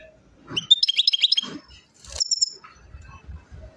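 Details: European goldfinch singing in Chouala, Mendes district, Relizane province, Algeria: a short burst of quick, high, tinkling twitters lasting about a second, followed by a brief high chirp and faint low background noise.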